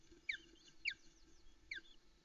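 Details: Osprey female on her Loch Arkaig nest at about 5am, 13 July 2019, calling while awaiting breakfast beside her chicks; three sharp, high descending chirps spaced unevenly over faint low background hum.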